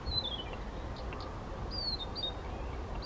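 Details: Male Blyth's reed warbler singing unprompted near Těchařovice, Czech Republic, in June 2014; two long thin whistles glide downward, separated by brief soft notes, over low background rumble.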